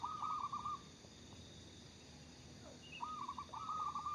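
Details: Local zebra dove in full song, giving a trilled, bubbling coo phrase, then a quiet gap, then two more rolling phrases close together, over a constant low hum and a faint higher chirp.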